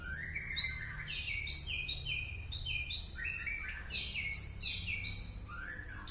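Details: White-rumped shama from Penaron, East Aceh, singing an unusual song: rapid varied phrases of sharp rising and falling notes and short buzzy strokes, delivered in dense bursts with brief pauses, over a faint low hum.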